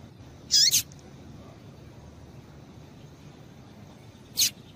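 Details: Female rusty-collared seedeater calling to stimulate males to sing: a sharp, high, slurred double chirp, then a single brief squeaky note about four seconds later over faint steady background hiss.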